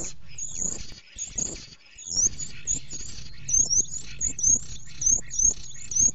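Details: A male common starling at a nest box on 30 March 2017, 08:30, luring a female, gives thin, very high whistles about once a second, some sliding down, over a steady low rumble.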